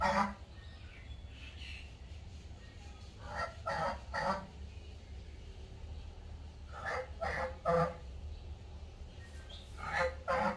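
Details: Domestic geese kept in a backyard give short, nasal, harmonic honks in quick bursts of two or three, separated by pauses of a few seconds, over a steady low background hum.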